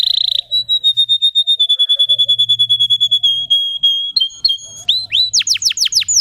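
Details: Pet canary singing: a long, even, rapid trill on one high pitch that slowly drifts lower, then a few separate notes and a series of quick rising whistled sweeps.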